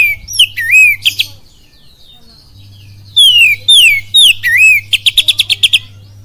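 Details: Oriental magpie-robin singing kapas tembak cililin style: twisting whistled phrases, a pause, then a chain of loud downslurred whistles ending in a fast staccato series of about eight notes, with a steady low hum.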